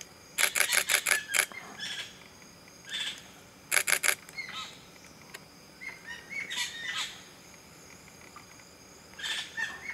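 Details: A common green magpie in Satchari National Park, Bangladesh, gives quick bursts of five or six harsh, rasping notes, broken by thinner whistled chirps and short squeaky phrases.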